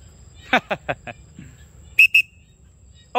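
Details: At 7:00 pm, a free-flying macaw from Cambodia gives four harsh, rasping squawks in quick succession, then two sharp, high whistles and one more squawk at the end.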